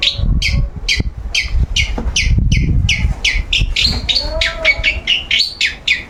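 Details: A long-tailed shrike being sunned sings nonstop. It repeats scratchy chirps about four times a second, then shifts into mixed whistled and buzzy notes, with low thumping noise underneath.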